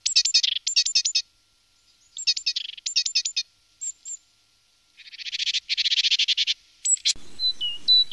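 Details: Great tit in various postures, singing different songs. Short bursts of high, buzzy, stuttering notes come in clusters separated by pauses, with a longer dry churring rattle midway. Thin high whistles close the sequence over a background hiss.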